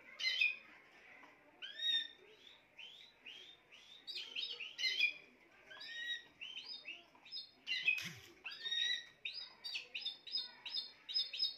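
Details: Spanish timbrado canary singing: rapid series of bright chirped notes and rising slurred syllables, repeated in quick bursts with a few louder trilled phrases; faint low background noise and a brief thump.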